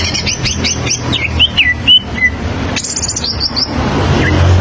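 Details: Greater green leafbird (cucak ijo), standard song serving as a model for young learners: quick chirped phrases followed by slurred falling whistles, then a high rasping burst, with low background hum.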